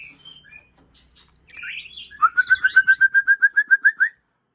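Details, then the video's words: White-rumped shama of Aceh type, from original breeding stock from Lamteuba, singing: a few varied high whistled phrases, then a fast even series of about thirteen sharp, slightly rising notes before stopping. "Murai Aceh"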